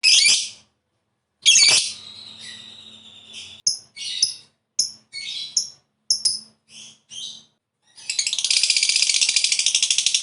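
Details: Lovebird, a fighter-type bird kept by hobbyists, used to prompt others into long chattering. Sharp high chirps and short squeaky notes come in separate bursts with pauses, ending in a dense, continuous rapid trill.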